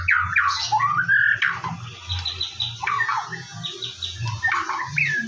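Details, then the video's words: White-rumped shama song in the morning, used to lure shamas into singing: sweeping whistles and a short warble, then repeated soft high notes and rising whistles, over a low hum. "PANCINGAN BURUNG MURAI BATU DIPAGI HARI AGAR GACOR"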